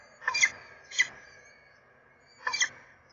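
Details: A peregrine falcon at its nest on 7 April 2024 gives three harsh, raspy bursts over about three seconds; the first and last are doubled, with a faint background hiss.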